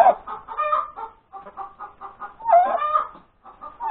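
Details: Hen cackling after laying an egg at breakfast time on Sunday, January 31, 2021: a run of quick, clipped clucks, then a louder, harmonic bukaak-like squawk around the middle. Another loud note ends the clip.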